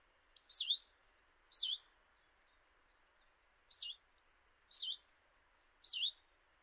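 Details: A common chiffchaff at a kitchen window in Eibar in early March 2018 gives five soft, high, slurred 'hweet' notes, spaced one to two seconds apart, against a quiet background.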